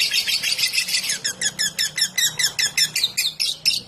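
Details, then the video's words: A lovebird's ngetik, the trill kept as a lure: a harsh buzzy burst opens, then about fourteen sharp, evenly spaced chattering notes follow at roughly four per second over a soft low drone. "Love bird ngetik buat pancingan"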